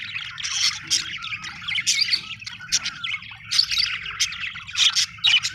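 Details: Chirping budgerigars, Australian birds, keep up a lively stream of high squeaks, warbled twitters and sharp clicks in uneven bursts over a steady low hum.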